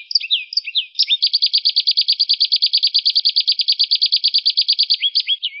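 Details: A canary sings vigorously to coax other songbirds into song, giving a few swooping whistles before a long rapid trill of uniform clipped notes and closing with falling slurs.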